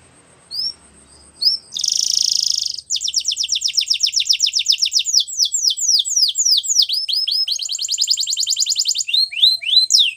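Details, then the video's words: Canary singing a training song: fast runs of high rising and falling notes, a brief buzzy burst, then long rapid trills of repeated sweeping syllables, shifting between tours. "Canary Bird Singing | The Best Canary Training Song"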